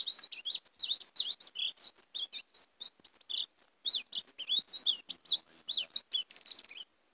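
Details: Lure song of the European greenfinch for catching the species, in warbling style: a dense, unbroken flow of varied chirps and twitters lasting about seven seconds.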